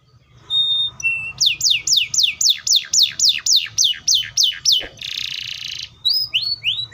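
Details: Canary (Serinus canaria) singing loudly: a steady tour of about a dozen swooping downward slurred notes, a short buzzy rattle, then more descending whistles, with a low hum underneath.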